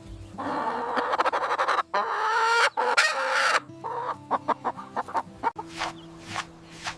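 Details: A large brown farm hen gives drawn-out, harsh squawking clucks, then a run of short, choppy clucks.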